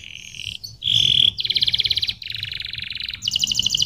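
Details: Canary singing a varied song: a bright steady whistle, then fast buzzy rattling trills in separate bursts, each at a slightly different pitch, with short gaps between phrases.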